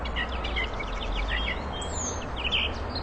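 A catbird sings a quick, jumbled run of short, varied chirps and squeaky notes over a steady low background hum.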